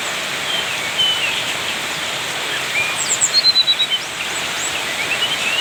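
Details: Bali white-eye in lively song: a thin high whistle, then a quick run of repeated bright notes near the middle, with scattered chirps over constant background hiss.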